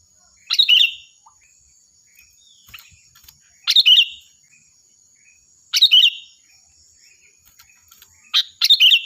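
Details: Sooty-headed bulbul in loud, shrill song for training other birds: four quick, bright warbled phrases about two seconds apart, with faint soft chatter between them.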